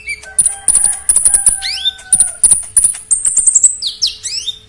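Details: Oriental magpie-robin (konin) in full, loud song packed with isian fill-in phrases. Sharp clicking notes in quick bursts mix with long, level, thin whistles and swooping, rising-falling slurred notes near the end.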